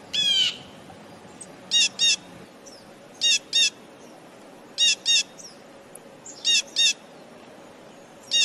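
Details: A Blue Jay, recorded up close, gives its classic loud, harsh, nasal double calls, paired notes repeated roughly every one and a half seconds, over a quiet background.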